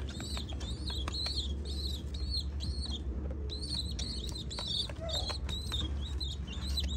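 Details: Pigeon chicks at feeding time, begging with bursts of thin, squeaky, high-pitched calls repeated rapidly in runs, broken by a short pause near mid-clip, over a steady low rumble with soft fluttering sounds.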